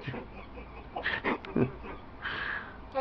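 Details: Pet parrot talking, described as swearing at its owner: short speech-like syllables in uneven bursts, some louder and brighter near the end. Indoors, with a low steady hum underneath.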